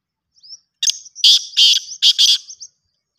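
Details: Kala teetar, the black francolin, calling: faint thin high notes lead into five loud, harsh, buzzy bursts grouped as a single note then two pairs, in an otherwise silent background.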